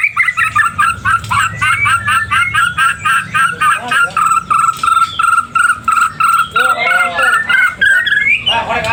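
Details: Repeated clipped whistles, about three a second, hold a steady mid pitch from a white-rumped shama singing hard to challenge an opponent, breaking into a rising whistled flourish near the end.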